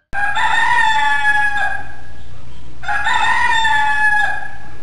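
A rooster crows twice, each a loud, hoarse cock-a-doodle-doo lasting about a second and a half, with a low steady rumble underneath.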